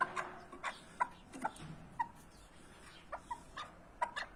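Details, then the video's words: Partridge uttering short, abrupt clucks at irregular intervals, roughly one per second, some doubled, with a quiet background. "Keklik sesi huzurludur )the sound of partridge is peace )звук куропатки мир ) صوت الحجل سلام"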